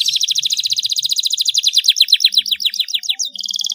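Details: Canary song used to prompt quiet canaries into singing: a rapid rolling trill of bright, high chirps, the notes growing into downward-sweeping slurs, ending with a steady buzzy high trill.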